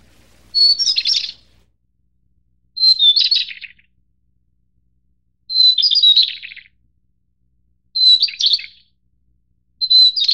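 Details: White-browed Shortwing of the Taiwan-endemic subspecies goodfellowi, from mid- to high-elevation mountains. Five short phrases about every two and a half seconds, each opening with a clear whistle and tumbling into a jumbled, descending warble, in a quiet background.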